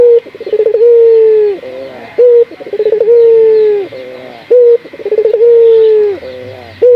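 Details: Local barbary dove as a training lure for other doves, delivering three near-identical phrases: brief sharp note, fast pulsing stutter, long steady coo tailing downward, roughly every two and a half seconds.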